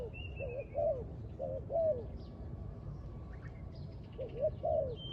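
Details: Spotted dove at a trap site giving paired cooing phrases, each made of quick low notes and a drawn-out hoarse coo, with a gap in the middle of the recording. Scattered high chirps and whistles from other birds.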